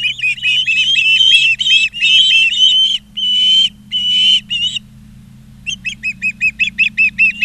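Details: Osprey nest in Charlo, Montana, 20 August 2023, on a live camera. Piercing whistled chirps come in ragged bursts, then a short pause, then a neat series of clipped, evenly spaced peeps. A low hum sits beneath.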